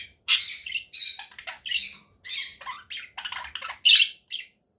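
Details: Conure parakeet giving repeated loud harsh squawks, roughly two per second, some screechy and some grating, with brief gaps between.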